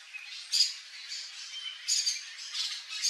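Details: Yellow-faced Parrot, a Brazilian endemic, wild in Cerrado habitat while visiting a backyard; scratchy, grating squawks repeated irregularly, some louder notes standing out against softer chatter.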